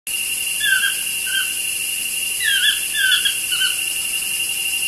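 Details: Two toucans chatting outside a studio window: short, downward-slurred yelping notes, a few near the start and a louder run of four or five later, over a steady high insect drone.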